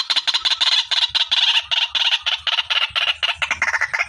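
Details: Clear lure recording of a female white-breasted waterhen: a brisk stream of rasping, clucking notes, about eight per second, slowly sliding lower in pitch.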